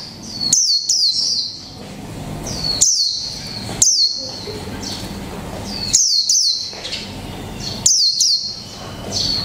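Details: Caged Japanese white-eye of the 'mộc tinh' type, kept one month, singing in the 'líu pha chòe trống' style: bursts of high, thin, sharply swept whistles every one to two seconds, with quieter pauses and a faint low hum behind.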